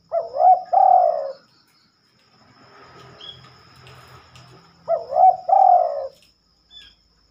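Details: Spotted dove singing in the night: two low, mellow phrases roughly five seconds apart, each a curling short note followed by a longer sliding coo, with quiet low hum and a faint chirp between.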